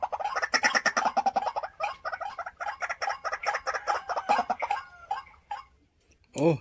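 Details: A three-to-four-year-old white-breasted waterhen kept caged as a decoy gives a rapid chain of harsh, clucking notes that slows and fades out toward the end, followed by a short, low squawk.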